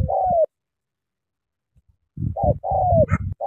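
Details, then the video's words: A spotted dove used for trapping in Cà Mau, Vietnam, around noon, gives soft, low, hollow coos: one note, a brief pause, then a quick run of three slightly falling notes. "Sắm thổ quá hăng hàng gù tuyệt vời"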